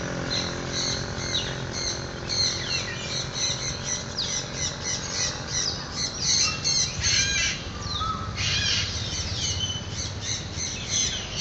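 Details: Macaws in free flight in the morning, giving harsh raspy squawks in overlapping bursts, several at once, over steady low rumbling background noise.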